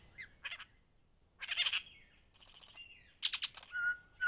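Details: Lyrebird in Cape Liptrap Coastal Park, part of the year-round behaviour of lyrebirds there: a varied medley of short rising and falling whistles, rasping bursts and chatter separated by brief pauses, ending in a clear steady whistle.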